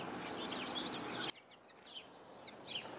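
Purple finch giving short, high chirping notes in quick succession, partly masked by a burst of loud background hiss that drops away after the first second.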